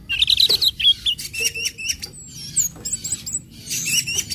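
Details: Orange-headed thrush song mixing ngecip, ngecit and ngeplong styles, intended to encourage other birds to join in: busy high chirping and whistled trills, several loud bursts separated by short pauses.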